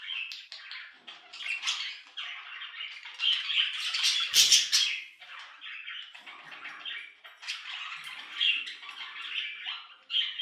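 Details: Captive budgies warbling nonstop in a steady stream of scratchy chirps, clicks and squeaky notes with rising and falling loudness; one brief low knock midway.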